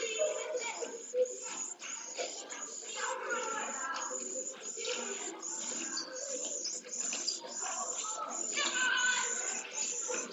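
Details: Lone pallid swift chick begging while fed and exercising its wings, Jerez de la Frontera, Spain, 15 September 2022: high, hissing, buzzy trills repeated rapidly in short bursts, with scratchy movement sounds in the nest.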